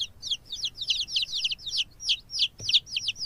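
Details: Chick peeping: high, thin, downslurred cheeps repeated rapidly, several a second, in an irregular stream with brief pauses.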